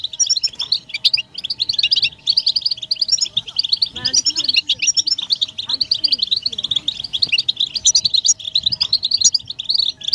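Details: European goldfinch betbeta, a group chorus of mating calls meant to end a male's silence. Continuous rapid twittering and jingling chirps, with a faint human-like voice around the middle and a soft steady hum beneath.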